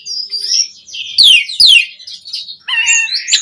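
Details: Asian pied starling song for exciting caged birds: thin high whistles, two loud steeply descending harsh sweeps, then layered clear whistled tones and a sharp final click.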